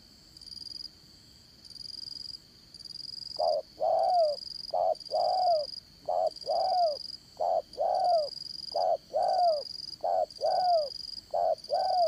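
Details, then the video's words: Spotted dove used as a trapping decoy, a strong-voiced caller, repeating short coo then longer coo pairs about every second from three seconds on, over a steady high insect-like hiss. "Bẩy Cu Gáy Dán Cổ, Giọng Đồng Son"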